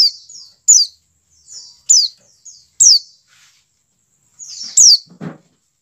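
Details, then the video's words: White-eye call, played to encourage caged birds to start singing: high falling chirps in loose pairs, each led by a softer slurred note, with a brief low rustle at the end. "CALL PLECI DAKUN cepat menjadikan pleci buka paruh."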